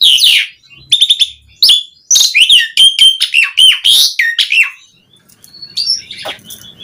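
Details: Singing Asian pied starling, a recording meant to prompt other starlings to sing: quick clicks and bright whistles, rising and falling phrases, tailing off into faint high notes.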